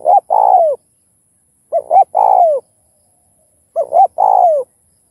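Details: Cooing spotted dove, played to stimulate other doves to call: three evenly spaced phrases, each a clipped double coo leading into a sustained, mellow coo that drops at the end, with a quiet background.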